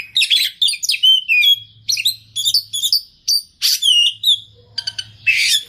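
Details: Oriental magpie-robin (kacer) pouring out a varied song full of mimicry: dense clusters of twittering, chattering notes and slurred whistles in short bursts, ending in a harsh buzzy phrase; faint low hum behind.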